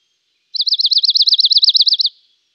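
A Dark-eyed Junco gives a quick, even trill of about fifteen high, slurred notes lasting under two seconds, with nothing else heard.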